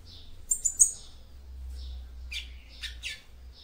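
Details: Female yellow-bellied seedeater calling to stir up the male: a few thin, high chirps early, then a short series of scratchy notes, over a steady low hum.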